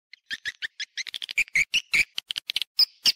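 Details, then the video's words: Swiftlets in a stereo recording of calling and roosting sounds: short, separate high chirps and twitters, some with brief whistled notes, spaced by small gaps, with no other sounds. "suara wallet-suara walet panggil + inap stereo-Suara Walet Original Bersih Plus Jernih"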